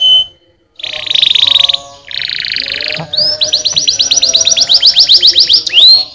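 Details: Canary song for stimulating lazy canaries: two long harsh buzzy rolls separated by pauses, then a quick series of high upslurred notes ending in one louder rising whistle.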